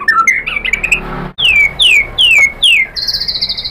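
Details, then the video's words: White-rumped shama song, used as a lure to provoke other shamas: a quick warbled phrase, then four loud, clean downslurred whistles about a third of a second apart, followed by a high pulsed trill. "PANCINGAN MURAI BATU biar EMOSI NYAUT jadi GACOR BONGKAR ISIAN | SHAMA BIRD"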